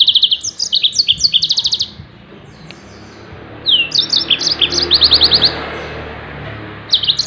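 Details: Yellow-fronted canary tembakan song for teaching other songbirds: quick high repeated chirps in two bursts with a gap between, set against a steady background hiss, and a last short burst at the end.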